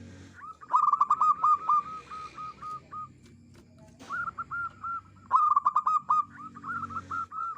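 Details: Zebra dove used to attract birds for trapping: a loud trill of quick coos that slows into a row of level notes, followed by softer coos and a second loud, rapid burst.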